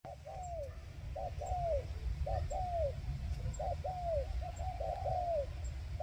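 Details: Spotted dove used as a decoy bird to lure wild doves: low, soft cooing phrases, each a short note followed by a longer downward-sliding coo, repeated roughly once a second over steady low rumbling background noise.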